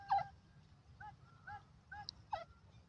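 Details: Irani or Dakhni teetar partridge giving a run of short whistled notes, one loud dipping note and several softer ones about half a second apart, with low rumbling background noise.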